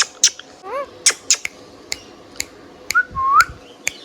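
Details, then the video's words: Pet Indian ringneck parakeet making a few soft wavering notes, sharp clicks, and a rising slurred whistle near the end, against a low indoor hum. "Indian Ringneck Parrot Singing Whistling and Chirping Sound"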